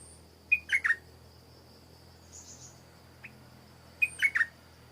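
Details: Stripe-throated bulbul in Thailand repeats a brief three-note descending phrase twice, roughly three and a half seconds apart, with a short buzzy call in between and a thin constant insect whine behind.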